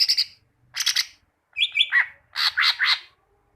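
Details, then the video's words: Greater green leafbird song, a tutor recording meant to make leafbirds sing often: four bursts of rapid, bright chattering notes, the third a sliding whistled phrase, the last a run of three sharp descending chirps. "Masteran cucak ijo, masteran burung cucak ijo agar cucak ijo rajin bunyi"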